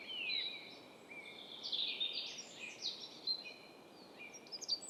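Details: Dunnock singing in Estonia: a quick, high jingling warble of tumbling notes in the middle of the clip, with thin whistled notes and short chirps before and after it.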